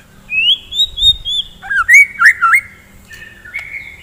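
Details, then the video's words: Morning song of a white-rumped shama played to stir fighting birds: a long high whistled glide, then slurred looping notes dipping and rising, followed by shorter sharper whistles with clicks. "KICAUAN GACOR,, DI PAGI HARI,, MEMBANGKITKAN MURAI BATU GACOR FIGHTER"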